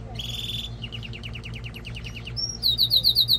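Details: Male canary singing to stimulate a female for mating and to train young birds: a buzzy note, then a rapid descending trill of repeated notes, ending in fast, loud, very high pulsed phrases.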